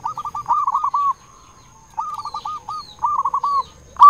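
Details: Caged local zebra dove with a big voice, used to lure other zebra doves, singing three quick rolling phrases of looping coos at a steady pitch, with a quiet gap between the first and second.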